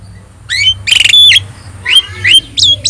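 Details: Singing Javan myna with yellow eyes, meant to train other birds: after a quiet start come rising whistles and a loud harsh rasp, then more slurred whistles and squeaks, over a low hum.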